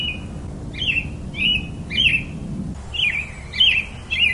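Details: Versatile robin melody of quick, warbled high phrases, each slightly different, given about twice a second. A steady low hum fades out midway, leaving the song clearer against quiet background.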